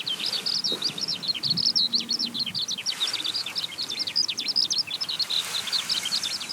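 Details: Rising skylark pouring out rapid, jumbled high chirps and warbles without pause, a continuous bubbling ribbon of notes, with a brief low hum near the start.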